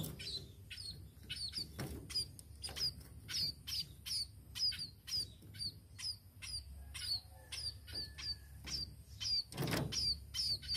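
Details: A tame sparrow chirps steadily, about two high, thin notes each second in an uneven rhythm, with faint rustling and a low background hum.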